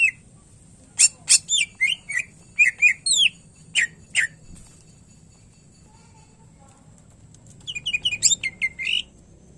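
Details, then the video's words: Greater green leafbird (cucak ijo) gacor song with isian, recorded as a tutor for reluctant birds: a fast series of sharp chips and curling whistles, a pause of several seconds, then a tight chattering trill of whistled notes. "Cucak Ijo Gacor Isian Pilihan Terbaik Cocok Buat Masterin Burung Lain Yang Malas Bunyi"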